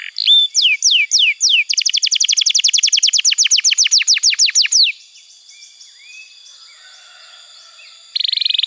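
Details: Canary song played as a tutor for juvenile birds: a few falling whistles lead into a long, rapid trill, then a pause with faint background hiss before a sudden buzzy burst at the end.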